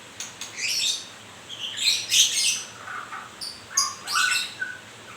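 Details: Murai, or white-rumped shama, during moult, pouring out rapid chattering notes and bright high whistles in quick succession, with a couple of lower clear whistled tones near the end.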